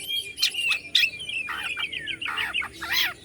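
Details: Oriental magpie-robin (kacer) from Bandung, Indonesia, meant to provoke other birds: harsh, squawky notes and a descending slurred whistle, grating and scratchy throughout.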